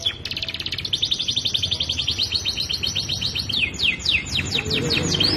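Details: Young canary, singing vigorously for a long-duration training recording, delivers a rapid high trill that slows into loud, widely spaced descending sweeps, over a faint low hum.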